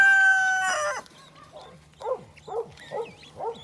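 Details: Adult guineafowl tending a chick: a loud, drawn-out harmonic call for about a second, then a string of short harsh notes repeated roughly every half second, with faint high chirps between them.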